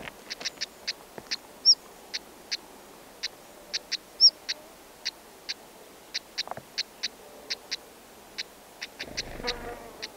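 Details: Black-headed stonechat at a nest where a pair is feeding chicks, wild, in dense grass: a steady series of dry clicking tak notes about every half second, two short high whistles early on, and a rustle near the end.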